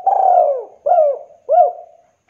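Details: Spotted dove from Java, a lure to get silent doves calling: three mellow cooing notes, a long falling coo then two shorter arched coos about 0.7 seconds apart, clear with no other sounds.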